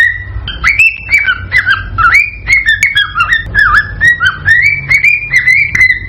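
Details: Cockatiel in excited song meant to stimulate mating: a run of clear whistled notes, many sliding upward or dipping into short slurs, delivered about twice a second with sharp clicks between them over a steady low hum.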